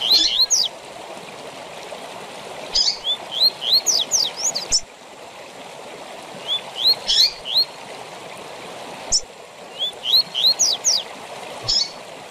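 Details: Double-collared seedeater singing tui tui zel zel for training caged birds: three repeated phrases of rising whistles ending in fast buzzy sweeps, each phrase about four seconds long, set against a continuous hiss.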